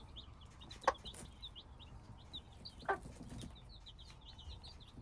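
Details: A group of hybrid chicks keeps up rapid high-pitched cheeping, with two loud knocks near the start and middle and a soft low rumble.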